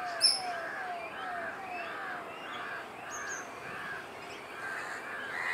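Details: Great cormorant juveniles at nests on Kaikondrahalli lake, April 2021, hungrily begging from a nearby parent; a steady run of short hoarse calls about twice a second, with a sharp high bird note at the start.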